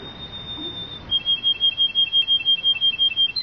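A Belgian canary holds a thin, high whistled note, then breaks into a quick, even roll of bright repeated notes, several each second, in a quiet room.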